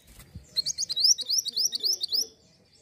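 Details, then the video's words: Hill blue flycatcher call used as a lure: a quick run of about fourteen high, upslurred chirping notes over under two seconds, evenly spaced, with faint low background rumble before and after. "Ampuh pancing bunyi Mantenan Gunung!"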